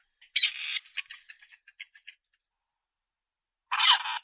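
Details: Grey Partridge: a rough, rasping note dissolving into a string of quick dry ticks, then silence and a second harsh, grating call at the end.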